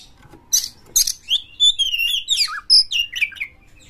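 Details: Sharp, high chirps from an aggressive oriental magpie-robin, a bird used to provoke others into song, followed by a run of whistled phrases sliding downward, then a bright piercing note and short descending trills.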